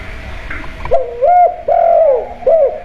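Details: Spotted dove kept at home, a 'kuk' style lure call meant to draw other doves into calling: after a quiet start, three mellow, low cooing notes follow one another, the middle one drawn out longest, with faint room noise behind.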